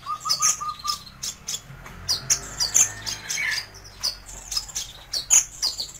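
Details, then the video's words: Kolibri ninja sunbird singing for tutoring: a lively, continuous stream of high, sharp chirps and squeaky twitters, densely packed with only short gaps, and a brief lower whistle near the start. "Suara Burung Terbaru 2020 - Kolibri Ninja (Konin) Cocok Untuk Masteran"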